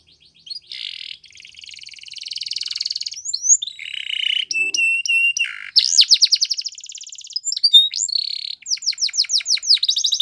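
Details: Male canary singing: a soft buzzy opening swells into varied phrases of clear held tones, swooping notes and quick repeated trills, loud and continuous.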